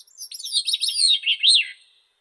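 Grey-cheeked thrush singing one thin, high, slightly nasal phrase lasting about two seconds. It slides downward in quick slurred notes and ends on a brief arched whistle.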